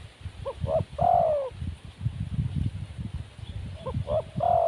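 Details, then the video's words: Wild spotted dove, said to be timid, gives two cooing phrases: quick short hoots followed by a drawn-out descending coo, with low thumping noise underneath. "Burung Tekukur Liar"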